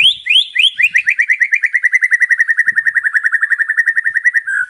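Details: White-rumped shama, a lively full-repertoire song used as a lure: a steady run of rapid repeated notes, about three to four per second, each sweeping downward, the opening phrases higher and the later ones holding a level pitch.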